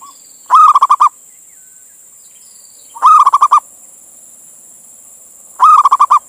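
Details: Male zebra dove from Indonesia calling to a female, recorded as a lure to make other doves come or call: three rapid bubbling cooing bursts of about six notes, roughly every two and a half seconds, with steady background hiss.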